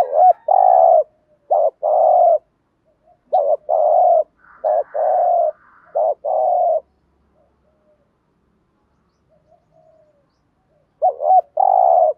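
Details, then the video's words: Spotted dove coos compiled as a lure to excite decoy doves, calling, urging and soft styles: a rapid run of wavering notes and long flat hoots, several phrases close together, a quiet gap, then one more phrase. "Tiếng Cu Gáy Giọng Hạp BổI ĐỦ BÀI ( GÁY GỌI,THÚC,GÙ ) Kích Bổi Nhanh Nổi"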